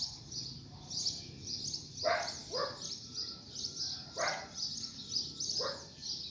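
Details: Coleiro coaxed into song after rain: rapid series of high chirps, with several louder lower scratchy bursts cutting in.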